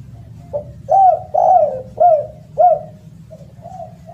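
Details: Spotted dove giving a loud, melodious call: a soft lead-in note, then four strong arched coos about half a second apart, each swelling and sliding slightly down, ending with quieter trailing coos over a low steady background hum.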